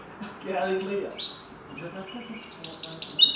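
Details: Common linnet schooled in goldfinch song: a man speaks at first, a single thin rising note follows, then a fast, sparkling run of high repeated trills closes the recording.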